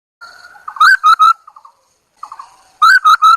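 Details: Chinese hwamei singing as a lure bird: loud clear whistled notes in a group of three, preceded by soft rapid chattering trills, then a pause and another three-note whistled burst.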